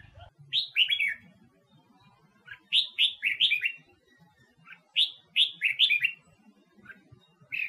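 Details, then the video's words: Female red-whiskered bulbul (Huế) singing to spur wild-caught males: short bursts of three or four rich whistled notes, repeated about every two to three seconds over a quiet background. "Tiếng Chim Chào Mào Mái Huế Hót ,Kích Chào Mào Bổi Hót"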